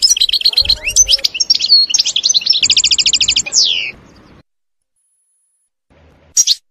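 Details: European goldfinch in woodland: about four seconds of rapid tinkling twitters and a dense buzzy trill, then quiet before one last sharp call.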